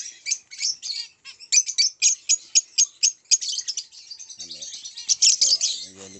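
Zebra finch giving a rapid run of high, nasal, buzzy chirps, about four a second. A person speaks briefly near the end.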